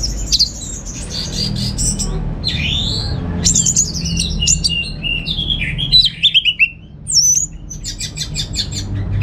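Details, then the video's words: Home-kept orange-headed thrush from Singaraja, North Bali, singing a continuous, varied medley of bright whistles, descending slurs and rapid trills, ending in dry rattling notes; low background hum. "Receh & Jos Suara ANIS MERAH Berkicau"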